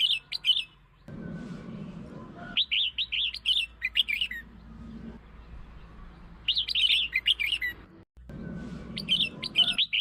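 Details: Red-whiskered bulbul singing, a recording meant to lure and stimulate other bulbuls: four lively phrases of rapid, bubbly whistled notes about every two to three seconds, with low background rumble between phrases.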